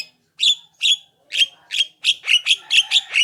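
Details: Javan myna singing as a lure call to prompt other mynas to reply: a steady run of rasping, buzzy notes with whistled tones, about two per second, speeding up toward the end.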